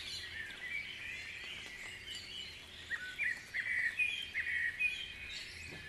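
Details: Birds in a dawn chorus at Guisborough, with a soft background of chirps and one nearer singer giving louder short whistled and warbled phrases roughly every half second in the second half.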